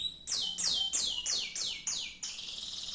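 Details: Canary singing in a style likened to the legendary canary TC1: six high, sharply descending whistled sweeps repeated about three times a second, ending in a steady high trill.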